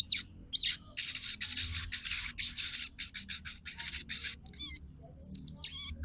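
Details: Female crimson sunbird chattering to call a male, meant to stir males into singing and breeding condition; dense run of harsh, buzzy high notes that ends in thin, bright whistled chirps.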